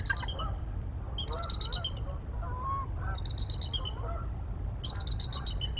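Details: Both adult bald eagles vocalize on the Mississippi River Flyway, recorded 1 December 2023. They give high, chattering bursts of rapid piping notes, repeated roughly every two seconds, with softer lower chirps between and a constant low background rumble.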